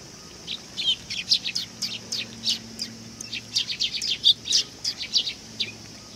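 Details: Sparrows flocking in to be fed at a Tenmangu shrine on 18 August 2020 keep up a continuous, busy stream of sharp high chirps and twitters, with many notes overlapping throughout.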